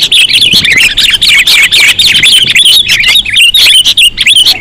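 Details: Sooty-headed bulbul calls for luring birds: a dense, continuous run of bubbling, twisting chirps and short slurred whistles, with little pause throughout.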